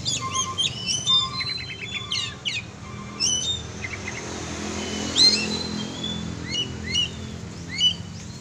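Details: Varied song from an oriental magpie-robin kacer being exercised: rapid clusters of sharp high chirps, short whistles and slurred notes, with scattered repeated calls and a constant low hum behind.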